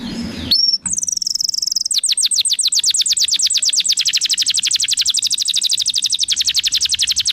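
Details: Canary in full song, used to prompt other canaries to sing: a brief low murmur, then a long rapid trill of fast repeated high notes, steady and bright throughout.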